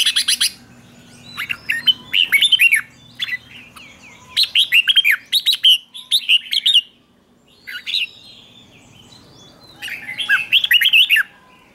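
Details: Red-whiskered bulbul lure song used to call wild birds, four bursts of fluid whistled warbling with quick rising and falling notes, separated by brief pauses, clear and loud.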